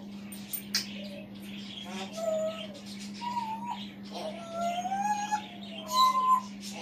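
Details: Male African grey parrot kept as a pet, perched on a chair in the background of a room and talking to himself; a run of varied whistled phrases, some rising and falling, mixed with short speech-like mumbles, under a steady low hum.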